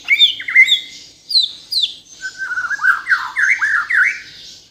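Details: A wild-origin white-rumped shama from Borneo (Kalimantan) sings a rich, varied phrase: clear whistles sliding up and down, then rapid looping notes with scratchy squawks mixed in.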